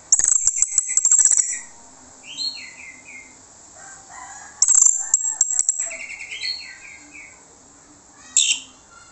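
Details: Orange-headed thrush song played as a lure so other birds answer: soft descending whistled phrases between loud, harsh, scratchy bursts and sharp clicks.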